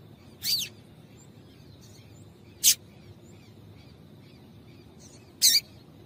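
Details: ['Female double-collared seedeater giving calls used to make males sing: three high, slurred chip notes, each about two to three seconds apart, over faint background hiss.']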